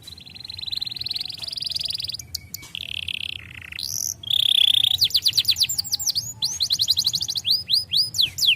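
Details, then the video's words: Canary song for training young birds: a varied run of high sustained trills and buzzy notes, then rapid repeated falling whistled sweeps, several per second, building to loud rhythmic phrases. "starblue canary color tons legais agradável de ouvir faz os canários jovens soarem rápido"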